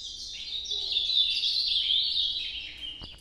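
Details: Ultramarine grosbeak performing the northeastern nocturnal song: a continuous, high, warbling stream of twittering whistled notes lasting about three seconds, ending abruptly with a click, over faint low hum.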